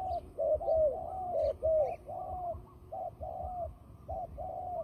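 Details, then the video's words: Turtle dove in fighting mode, a trapping call: a dense run of low, hollow coos with some notes overlapping, as if more than one dove is calling, with faint high chirps in the background. "fighting dove"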